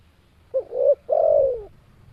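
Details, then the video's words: Calling spotted dove giving a two-part coo, a brief rising note then a drawn-out descending coo, with a steady low background rumble. "Suara Burung Tekukur"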